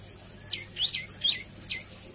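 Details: Javan tailorbird singing varied phrases; four sharp, high, swept notes in under two seconds over a faint low hum.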